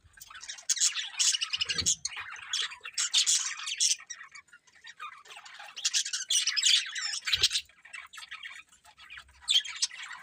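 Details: Budgies calling in loud scratchy bursts of squawking chatter, several seconds each, separated by brief quieter pauses with a faint thump.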